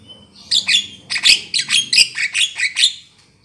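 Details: Black-winged myna calls used as a lure for trapping birds: a run of harsh, buzzy, broadband notes mixed with short whistled slurs, about eight bursts in quick, uneven succession, with a quiet low hum underneath.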